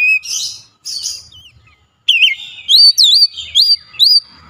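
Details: Oriental magpie-robin (kacer) in an agitated, highly excited state, unloading its repertoire: two harsh, buzzy rasping bursts, a short pause, then a run of bright looping whistles repeated several times.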